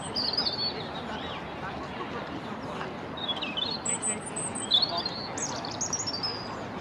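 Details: European robin singing in a corkscrew hazel near the Albert Memorial, giving short high, twittering and slurred phrases separated by pauses, set against a steady wash of broadband background noise.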